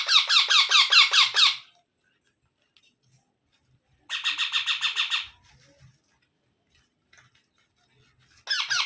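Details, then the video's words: Baby parrot repeating bursts of grating, rhythmic squawks, roughly three per second, in three separate runs with long silent gaps between them. "Baby Parrot Sounds"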